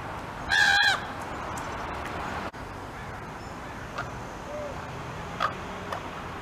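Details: Juvenile common raven calling out to sibling ravens nearby: one loud, harsh, nasal scream lasting about half a second near the start, richly layered in tone, followed by a quiet background with a few faint distant ticks and chirps.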